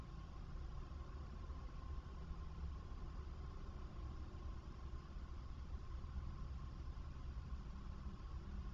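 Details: Steady low hum of an idling engine with a faint constant tone, and no animal voice.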